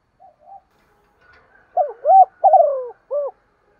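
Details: Spotted dove hen calling to rouse males, cooing repeatedly: two soft preliminary notes, then a single full phrase of rising-falling hollow coos ending in a short final note, with a faint thin whistle behind.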